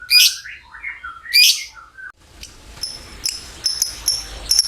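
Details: Lovebird calling: two harsh squawking chirp bursts with falling tails, then a faint rapid series of high thin ticking notes.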